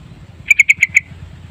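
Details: Yellow-vented bulbul (trucukan) lure recording in a long, full-content gacor style: five sharp, ringing notes in a quick, evenly spaced series lasting about half a second, over a faint low hum.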